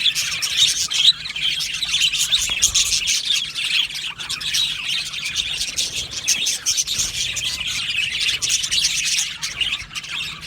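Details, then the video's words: Budgies chirping together in an aviary, a constant high, scratchy warble of countless overlapping calls, with a few sharper squeaks rising above the din. "Beautiful Budgie singing and chirping sounds"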